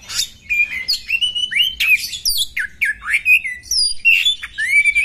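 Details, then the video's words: Fighting female Oriental magpie-robin: clear whistled slurs, some rising and some dropping, alternate with short harsh chips in a quick, uneven sequence. "KACER BETINA TARUNG"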